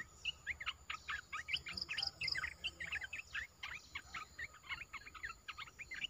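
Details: A new caged olive-winged bulbul singing on 29 June 2021, used as a lure song; lively chattering phrases of short chirps repeated in even bursts, with a steady faint hiss behind.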